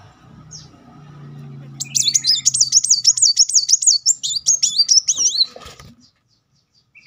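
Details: Van Hasselt's sunbird used as a lure to trigger singing: a rapid run of high, sharply modulated wavering notes, rising and falling in quick succession for over three seconds, then silence.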